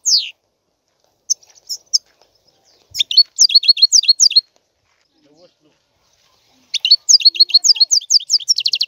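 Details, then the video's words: European goldfinch with a few scattered chirps, then a rapid phrase of rising and falling twitters, a pause, and another fast twittering phrase ending in a buzzy trill. "احسن وافضل تغريد طائر الحسون"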